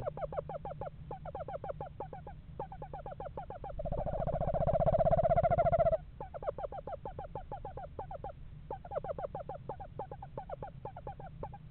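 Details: Pair of Eastern screech owls house shopping in November at a backyard owl house; rapid trains of short repeated notes, then a steady low monotone trill lasting about two seconds before the quick notes resume, over a low constant hum.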